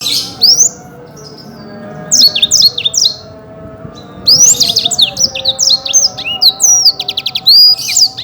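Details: Black-throated canary (Crithagra atrogularis) song: bursts of high, sweet whistles and rapid trills, with fast descending slurs and a quick buzzy rattle between short pauses.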